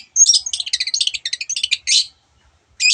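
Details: Long-tailed shrike singing a fast string of varied imitations of other birds, a rapid stuttering run of high chirps and trills, then a scratchy burst, a pause, and one more harsh note.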